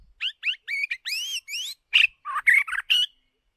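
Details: White-rumped shama, a decoy bird used for song training, singing a rapid series of clear whistled notes, some rising sweeps and warbled slurs, followed by burry, more complex phrases, with silence between the notes.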